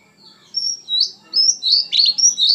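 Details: Oriental magpie-robin singing with strong emotion: clear, high, slurred whistles linked into a flowing phrase that ends in a rough, buzzy note.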